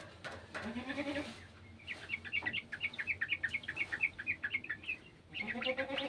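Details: Sooty-headed bulbul in a garden, joining in with the calls of an untrained bird: a quick run of chirpy notes, steady then briefly paused, with lower warbling tones at the start and end and a faint background hum.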